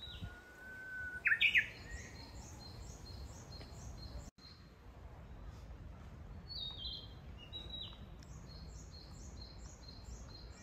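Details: Japanese bush warbler in a fresh green forest, Kitayama, Kyoto, June 2022: an opening steady whistle ends in a loud quick flourish, followed by quieter high chirping phrases and a continuous rhythmic ticking chorus.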